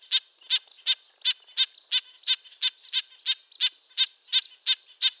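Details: Nasal, tin-trumpet calls of a red-breasted nuthatch (Sitta canadensis), high and harmonic-rich, fired off in an even series roughly three per second with quieter calls in the background.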